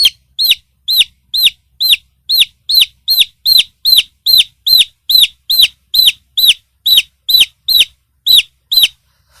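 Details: Young chickens peep over and over, a long even series of shrill, slightly bent notes spaced roughly every half second, with nothing else audible.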